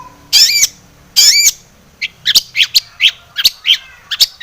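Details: Energetic long-tailed shrike song packed with fill phrases, meant as a lure to make shrikes sing excitedly: two long harsh rasping squawks, then a run of short sharp chirps and clipped whistles.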